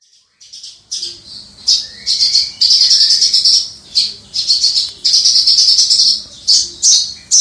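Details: Javan bush lark, a caged songbird kept by hobbyists, recorded from a distance yet clear, singing the prized crystal-voiced style: high, buzzy, fast-trilled bursts in bouts of about a second, separated by brief pauses.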